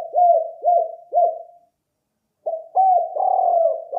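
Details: Spotted dove coos for luring: three hollow, down-curving notes about half a second apart, a pause of nearly a second, then more coos blending into a sustained low droning passage.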